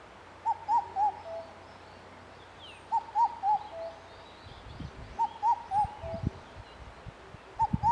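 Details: Indian cuckoo calling on 3 June 2021: a four-note whistled phrase, the last note lower, repeated about every two and a half seconds, with low rumbling noise in the background.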